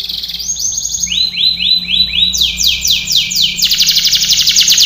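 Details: Canary training song: a tour of rising slurs, then a lower repeated phrase, then falling notes, ending in a fast, buzzy high trill.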